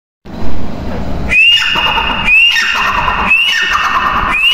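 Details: Female grey francolin, known locally as mada teetar or Dakhni teetar, calling: a harsh opening followed by loud ringing whistled notes that sweep upward and hold steady, repeated about once a second.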